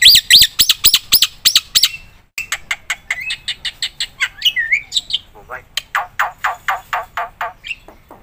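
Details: Black-winged myna, song offered for lure and master training: fast ringing whistled notes, then mixed clicks, a slurred whistle and a rhythmic train of buzzy chirps, with faint voices.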